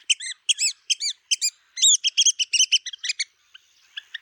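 Red-cockaded woodpecker giving rapid, squeaky, nasal chirps in quick bursts, about three a second, rising into a chattering run before trailing off.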